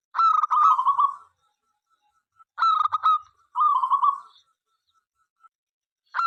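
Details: Local zebra dove in full song, meant to invite other doves to sing: a burst of quick clipped coos running into a rolling purred trill, repeated three times with short silent gaps.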